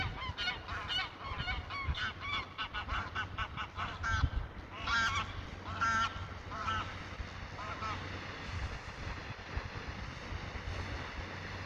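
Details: A flock of greylag geese honking loudly and rapidly, harsh nasal calls tumbling over one another for the first seven seconds, then thinning to scattered calls against low rumbling noise.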